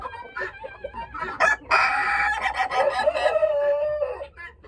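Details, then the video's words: Ayam Ketawa rooster, a long-crowing laughing chicken breed from Sidenreng Rappang, South Sulawesi, Indonesia, gives a laugh-like crow: choppy staccato notes, then a loud sustained harmonic stretch that breaks into rapid pulses and slides lower. "Ayam Ketawa -cocosul care rade"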